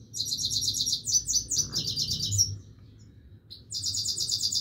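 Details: Himalayan goldfinch in continuous song, two phrases of quick, glittering, buzzy twitters separated by a short pause, very high and rhythmic, with faint low background hum.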